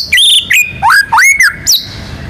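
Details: Rich white-rumped shama phrase of loud, clear whistles: a held high note, a dipping slur, then swooping upslurs and a final sharp high flick, all in quick succession.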